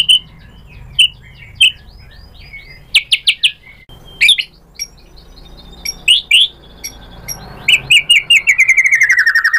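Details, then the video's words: White-rumped shama song played as a lure for a rival bird. Scattered sharp chips and brief rapid note clusters give way to a fast, descending rolling trill at the close. "pancingan MURAI BATU GACOR FIGHTER ampuh untuk menaikkan emosi biar NYAUT BONGKAR ISIAN | SHAMA BIRD"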